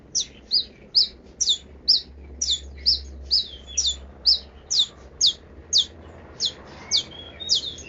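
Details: Long-tailed shrike giving a 'kaya rasa' song: a steady series of short, high, sharp chirps, roughly two per second, fairly even in pitch.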